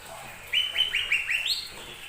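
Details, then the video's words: Lesser green leafbird singing as a lure for other birds: a quick series of five or six downslurred whistled notes, the last rising higher, over about one second. "Pancingan burung cucak ijo mini"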